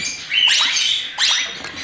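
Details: Plum-headed parakeet (Psittacula cyanocephala) chicks give two harsh, raspy, high-pitched bursts about a second apart, with a thin steady whine in the first; the croaking quality is almost frog-like.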